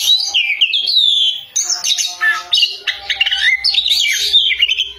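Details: Energetic Oriental magpie-robin singing loudly: descending whistled slurs, then rapid mixed notes and chatters, a faint steady tone and low hum in the background.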